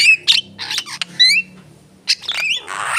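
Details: Javan myna song made of rasping squawks mixed with clear upward-sliding whistles and short chirps, in irregular bursts separated by quiet gaps, ending in a long harsh grating note.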